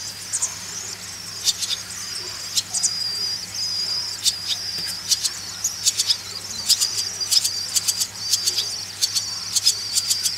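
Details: Swallow chicks being reared: a steady high, hissing buzz from the young with frequent short, sharp bursts and rapid clusters of clicks or chirps scattered through the recording.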